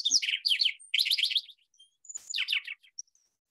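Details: Lark Sparrow, a bird of grassy areas with scattered trees in Iowa, sings three quick, jumbled bursts of high chirps, buzzes and rattling trills, with thin, pure whistles in the short pauses between.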